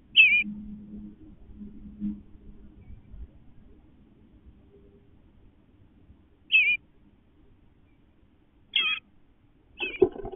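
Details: Eastern bluebird parents and young trading calls on fledging day as the chicks leave the nest box: four short, warbled high notes, spaced several seconds apart, over soft low rustling.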